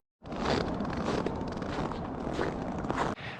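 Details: Sudden burst of loud rushing, rumbling noise like wind or handling, lasting about three seconds before cutting off, with no animal sounds.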